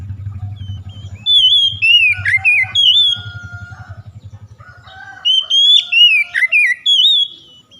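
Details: Oriental magpie-robin stimulation song meant to get a reluctant young bird singing: loud, varied whistled phrases with sharp slurred and upswept notes in quick bursts, over a low pulsing hum in the first five seconds.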